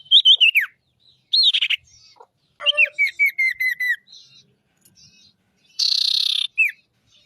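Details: Ashy tailorbird, loud master recording for attracting birds: sharp descending whistles, a run of five quick repeated slurred notes, pauses, then a dense buzzy trill ending in a short downward whistle.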